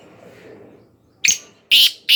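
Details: Black francolin from Khushab giving loud, grating notes: one short rasp, then two strong harsh bursts about a third of a second apart after a quiet start.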